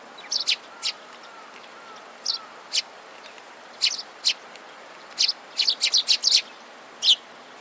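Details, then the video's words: Sparrows crowding at a food spot and fighting, recorded 25 February 2017: sparse, high, clipped chirps, some in rapid clusters of three or four, separated by quiet gaps over soft background hiss. "餌に集まるすずめ達20170225 92（喧嘩）"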